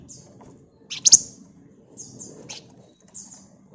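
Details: Flamboyan bird chirping in gacor style: brief high sharp notes, one loud harsh double burst, then quick repeated twitters over a faint low hum.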